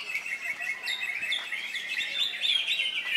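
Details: Short burst from a freshly molted greater green leafbird at an Indonesian contest on Saturday 3 September: a steady stream of high sweet twittering and thin whistles over a busy bird chorus.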